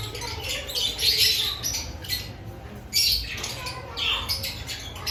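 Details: Lovebirds in an aviary before the breeding season, scratchy high squawks and chirps coming in a few loud bursts, with a steady low hum behind.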